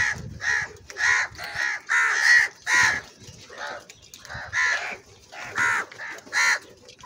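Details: Very loud, angry crow voice: a long run of about eleven rough, grating caws, one roughly every half second, with brief gaps between bursts.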